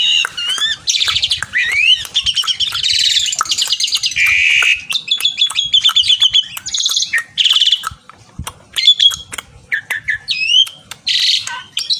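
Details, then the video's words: Javan pied starling calling a rival with loud, varied song: buzzy rattling bursts, looping whistles and scratchy trills in busy phrases, then shorter separated calls with brief pauses and sharp clicks toward the end. "Burung Ocehan Jalak Suren Gacor Memanggil lawan"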